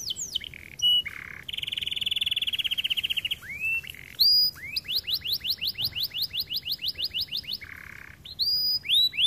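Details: Varied song from a white canary: a rapid pulsing trill, lower buzzy notes, then a sequence of rising whistles repeated about three times a second, finishing with sharp upward-sweeping notes.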